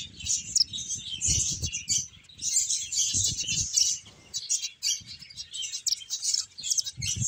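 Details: Finches at play chirp almost nonstop, a busy chatter of short, very high tweets and trills, with soft low thumps and fluttering now and then underneath.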